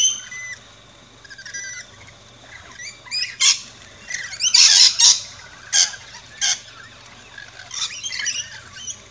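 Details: Rainbow lorikeets at a backyard feeding station in Australia, with harsh broadband squawks clustered around the middle and thin whistled chirps early on, over a faint steady hum.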